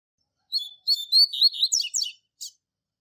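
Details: Double-collared seedeater tutor singing the classic Tui Tui Zel Zel song used in training young birds: a quick phrase of clear whistles that speeds into steep, buzzy sweeps, ending with one separate sharp note.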